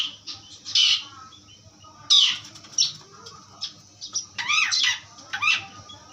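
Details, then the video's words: Asian pied starling giving harsh, raspy squawks and grating bursts at irregular intervals, some clustered in quick pairs, with quieter chirps between and a faint low hum in the background. "jalak suren pastol ampuh"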